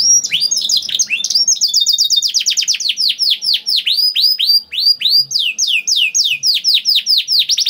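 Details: Canary singing a long, loud song of rapid repeated downward-sweeping whistled notes at high pitch, with fast trills and rolling phrases, played to prompt other canaries to sing.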